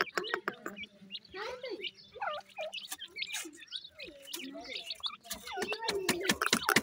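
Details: Francolin chicks calling: many short, high chirps and rising peeps, some slurred downward, packed closely over a steady low hum, with sharp clicking taps scattered through.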